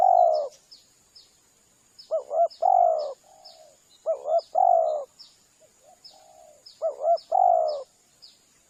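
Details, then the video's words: Lure call for calling spotted doves: a trembling double note and a fuller sustained coo, repeated three times with soft extra coos between, while small birds chirp in rapid high flicks throughout and a thin steady tone runs along. "Suara pikat tekukur"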